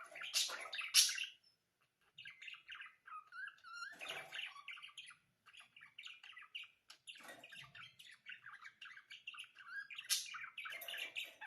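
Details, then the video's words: Budgerigars warbling: loud harsh squawks open, then a steady stream of quick chirps, chattering trills and short whistled notes continues to the end with few pauses. "صوت تغريد طيور البادجي"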